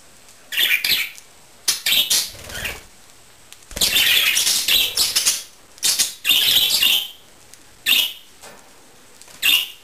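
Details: Pet budgerigars indoors, flying to a hand for a snack; bursts of wing flapping mixed with short, bright chirps and chattering, arriving in irregular clusters with quiet gaps between.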